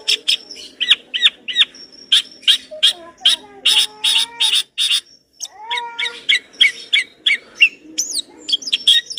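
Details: In vigorous song, a long-tailed shrike strings together rich imitated phrases. Rapid scratchy chips come about three per second, mixed with soft lower whistled slurs and a few high squeaky notes.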